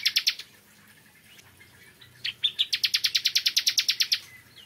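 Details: Morning song of a bar-winged prinia: a few loud, clipped notes, a pause, then a fast, even run of about fifteen sharp chipping notes, all high-pitched against a faint low background hum.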